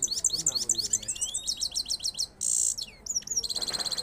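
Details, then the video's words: A goldfinch sings a fast, high, tinkling run of twittering notes and trills in two parts, broken by a brief buzzy wheeze, then resumes with liquid rising notes. "two step singing of gold finch rolling"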